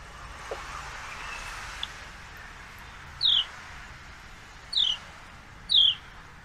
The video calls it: Two female sparrows are fighting. Surprisingly male is watching and making sounds